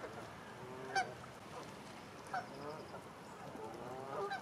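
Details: Canada geese in a grazing flock of more than 100 birds on a stubble field in Wiltshire, UK, October 2019. Three sharp, harmonic honks ring out at intervals over quieter murmuring calls and faint field noise.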